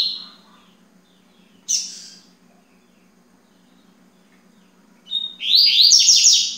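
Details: Yellow-bellied seedeater singing at 9:20 in the morning on the second day: the tail of a high phrase, a lone sharp chip, a long silence, then a fast, ringing warble of stepped high notes, with faint hum beneath.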